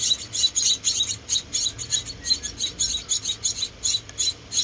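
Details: Rescued baby munias, four of them, calling while being fed: a continuous stream of high, scratchy cheeps repeated about three times a second, with no other clear sounds.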